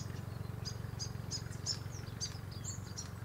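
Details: Grey fantail in an Aleppo pine, first thought a Willie Wagtail and later identified by a viewer as most probably a Grey Fantail, giving thin, high squeaky chips and short twittering notes, roughly three a second, over a steady low background rumble.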